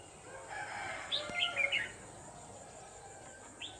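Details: Red-whiskered bulbul used as a caged decoy for trapping on a late afternoon, 29 November 2018; a short burst of quick, warbled whistled notes mid-recording, then one faint note near the end, over a steady high hiss.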